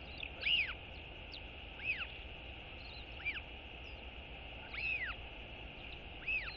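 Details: A royal albatross chick on its nest gives high, arched whistling skycalls, each rising then falling, about every one to two seconds, over steady wind, greeting its father as he returns to feed it on 31 March 2022.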